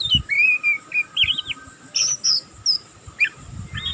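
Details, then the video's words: Juvenile oriental magpie-robin practising its song in the ngeriwik style. Short, separate notes come in quick succession: sharp high whistles, brief slurred chirps and little upward flicks, with faint low noise behind. "burung kacer pastol ngeriwik pastol paud masih belajar pokal ngeriwik tanpa putus"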